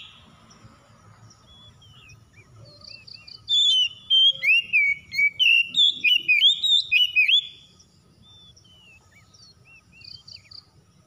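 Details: Domestic house-kept Oriental magpie-robin singing vigorously, used as a lure to set others singing: a burst of loud, rich whistled phrases, quick slurred and twittering notes packed together for about four seconds, then soft scattered calls.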